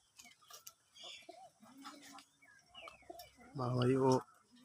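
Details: A domestic pigeon, one of several pairs bathing, gives a deep, throaty coo near the end after a man speaks; he says pigeons are calling as one is about to go in.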